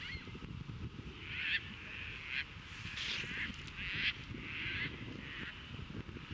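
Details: Caspian terns during courtship at Montrose Beach, Chicago, on 22 April 2024, catching fish, offering them to potential mates and mating; harsh, raspy calls burst out about five times over steady wind and surf rumble.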